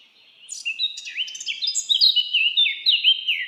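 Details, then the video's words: Birds singing in a forest: a rapid, overlapping run of high whistled notes and quick slurred chirps, growing louder after a quiet start, with several phrases tumbling over one another. "Birds singing // Forest of birds"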